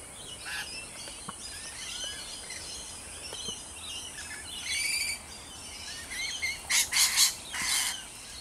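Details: Rainbow lorikeets at Riverglade Reserve, NSW: soft, busy twittering in the background, building to a cluster of four loud, harsh screeches about two-thirds through, then one more.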